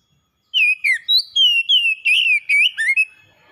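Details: Kacer, a pet oriental magpie-robin, delivering energetic whistled song. A string of clean slurred notes with some rising and some falling, tightly packed at roughly three per second, then trailing off into silence.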